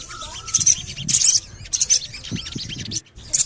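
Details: Javan cochoa lure call, 'cuit cuit cuit', played to get birds singing: quick bright bursts of high chirps with short gaps, a brief soft low thump, then a near-silent pause before a last burst.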